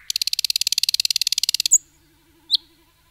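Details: Nightingale singing in a forest, delivering a long dry rapid rattle of about twenty-five evenly spaced clicks, ending with a high thin whistle, then one isolated sharp note after a short pause.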